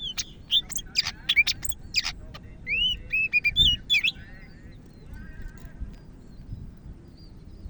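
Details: Greater green leafbird of the Medan type, singing vigorously: a burst of sharp high chirps and clicks, then clear rising and falling whistled notes and short warbled phrases that fade to quieter trailing notes over low background rumble.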